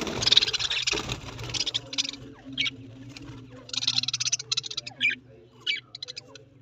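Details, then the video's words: Budgerigars chatter in quick bursts of high, scratchy chirps and warbles over a steady low hum. "Australian parrot voice Budgies parrot"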